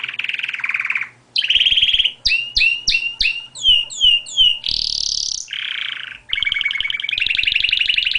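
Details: Canary song of bright, varied phrases: buzzy sustained trills alternating with rapid series of sweeping, repeated whistled notes, delivered almost without pause; faint rhythmic ticking in the background.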